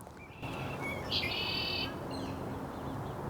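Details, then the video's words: Calling red-winged blackbirds out in the field, recorded on a microphone during a gear test: a few short whistled notes, then a loud buzzy trill lasting under a second, then fainter chirps over steady outdoor background hiss. "So, I finally did find some calling redwing blackbirds to get some good audio from. You might be able to hear them right now."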